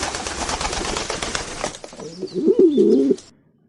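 A pigeon gives a low, throaty, rolling coo lasting about a second. It follows a burst of loud, hissing background sound.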